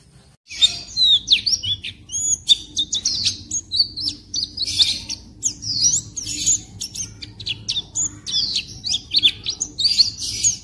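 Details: Captive white-eye (pleci) in the "ngeriwik kasar" stage of song development: rough, nearly continuous subsong of thin high chirps, short slurred whistles and quick twitters, faint low hum behind.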